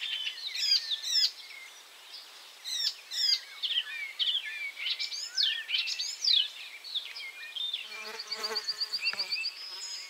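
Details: Icterine warbler, which moves around and catches caterpillars between bouts, sings a varied chattering and whistling song with harsh clicks and rising notes, then a close buzzing insect drones over the final seconds.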